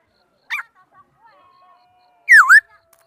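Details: A singing laughingthrush from 2018 gives a brief sharp note and faint soft trailing sounds, then one loud whistle that dips steeply and rises again in a V shape.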